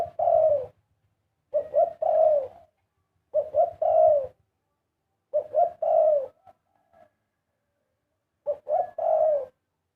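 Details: Karam-style cooing of a big dove, five low phrases about two seconds apart, each of short rising notes and a held falling coo, in quiet surroundings.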